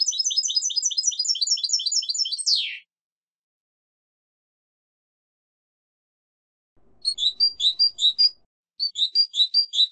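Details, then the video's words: European goldfinch song: a rapid, tinkling twitter of high notes ending in a falling slur, then after a pause bright, jangling chirped phrases. "canto de jilguero"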